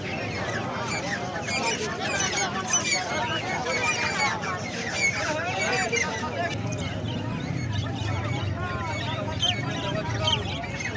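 Grey francolin chicks give a dense, continuous chorus of short, high chirps and peeps that overlap one another, over a low background rumble.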